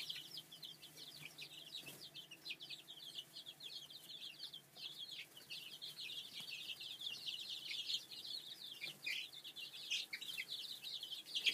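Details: A brooder full of layer chicks keeps up a dense, unbroken chorus of high thin peeps, many overlapping downward chirps growing slightly louder toward the end.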